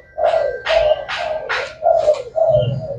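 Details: Spotted dove of the Thai black type, a kept bird said to coo all day long, giving six low, hollow cooing notes in quick succession, each carrying a harsh breathy edge, with a faint indoor background.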